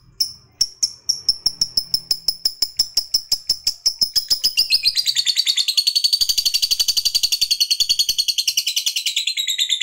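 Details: Long 'ngekek' chatter of a fighter lovebird meant to provoke other lovebirds. Sharp high ticks come at a steady pace, then quicken and blend into a rapid, shrill, continuous rattle lasting several seconds.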